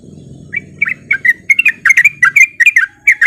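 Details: Lure song of a sooty-headed bulbul meant to get reluctant bulbuls singing: a low rumble at first, then a quick series of clear, bouncy warbled notes with brief gaps.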